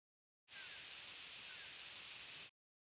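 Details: A Tennessee Warbler gives a single very high, split-second, sweet whistled flight call without buzziness, rising steeply at its end, over a steady soft hiss.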